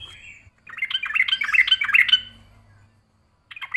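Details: Yellow-vented bulbul answering a rival aggressively: a short, bubbly burst of quick liquid notes lasting about a second and a half, then silence and a brief fragment of another phrase at the end.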